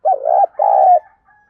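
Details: Decoy spotted dove calling in the 'thổ pha thúc' voice style, used for training decoy birds: two full, husky coos, the first wavering, the second longer and steadier, followed by a faint trailing note.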